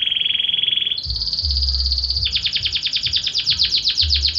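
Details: A Belgian canary sings a lower buzzy trill, jumps abruptly to a higher sustained rolling trill, then shifts into a fast series of repeated falling chirps.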